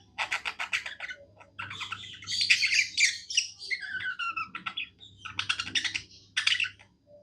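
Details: Happy budgerigar singing: rapid ticking chirps leading into dense, scratchy chattering warble with squeaks and buzzy notes, pausing briefly before more clicking bursts; low hum beneath.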